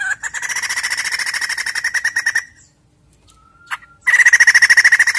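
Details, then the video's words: White-crested laughingthrush lure sound for caged birds: steady rapid harsh chatter for over two seconds, a near-silent gap with one thin whistle and a click, then loud fast chattering again. "Pancingan Bunyi Poksay Jambul Gacor!!!"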